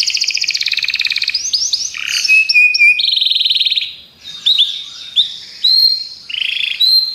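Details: Belgian canaries sing a varied phrase: a rapid buzzy trill, steady whistled tones, a brief pause, then bright rising whistles and chirps.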